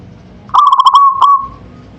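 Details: Single manggung phrase from a local zebra dove: about eight quick bubbling notes in a rolling trill, a brief gap, then one last note that fades into a long held tone.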